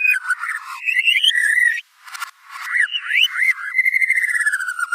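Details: White-rumped shama (murai batu) giving lively gacor song: varied rising and falling whistled phrases with buzzy chatter, a short pause, then swooping notes and a long, evenly pulsed trill that slowly drops.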